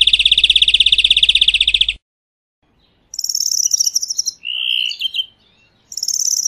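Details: In nature, a European greenfinch sings a two-second rapid trill, falls silent, then gives a higher, faster trill, a smooth whistled note and one more short high trill.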